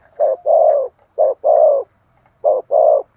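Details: Decoy spotted dove cooing in three paired phrases, a short note then a longer mellow one, repeated about every 1.2 seconds; nothing else is heard.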